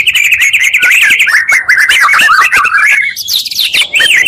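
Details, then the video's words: Oriental magpie-robin in fast, unbroken song combining two birds' voices, used as a lure to rouse other magpie-robins: rich warbled phrases and rapid trills, with a few sharper high notes breaking in near the end. "pancingan murai 2 kali lebih menaikkan emosi muarai."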